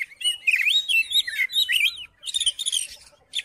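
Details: Song of an Oriental magpie-robin to trigger singing in a reluctant magpie-robin: warbled rising and falling whistles, then a scratchy buzzing burst after a short pause.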